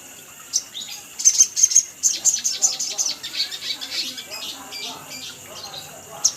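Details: Sunbird call used as a lure to make other birds sing: a fast series of sharp, very high ticking chirps over several seconds, loudest early, then fading to scattered notes.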